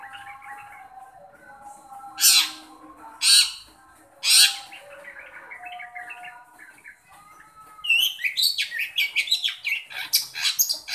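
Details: Long-tailed shrike calling to encourage a shy shrike: three harsh, grating bursts about a second apart, a quieter stretch of soft warbling, then a fast, dense run of scratchy chattering notes.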